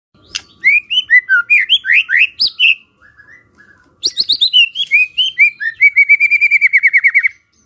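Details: White-rumped shama song used as a lure to prompt other shamas to answer: two bursts of quick, rising whistled notes split by a short pause, ending in a long run of rapid, evenly repeated notes.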